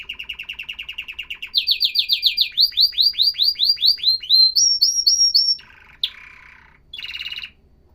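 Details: Loud, clean canary song, said to encourage males to sing: fast trill, then a series of rising swept notes repeated steadily, higher whistled syllables, and a short buzzy phrase near the end.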